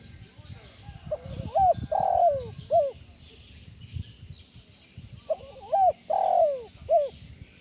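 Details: Spotted dove calling in the 'kuk 1' style, used as a lure to stimulate other doves: two phrases, each a quick stuttering pair of rising notes, then a long loud coo and a short final note, over faint steady hiss and low rumble.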